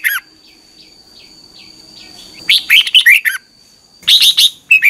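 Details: Morning training song of a red-whiskered bulbul used to stir other birds: a short note, then a run of faint descending chirps, then two vigorous bursts of fast warbled, slurred whistles over a constant high tone.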